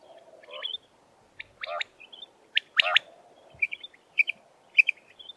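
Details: Common quail calling: short bursts of sharp, clipped chirping notes grouped in twos and threes, some spaced about a second apart, over a steady low hum.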